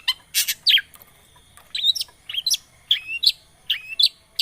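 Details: Long-tailed shrike lure recording, played to coax a silent bird into singing: sharp high chirps and short downslurred whistled notes, given singly and in pairs with brief pauses between them.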